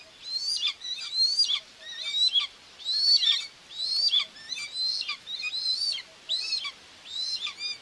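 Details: Common buzzard nest, Tiszalök, Hungary, 2 June 2024, mother feeding two chicks on a live camera; insistent high whistles, each rising and falling, repeated about once per second for eight seconds.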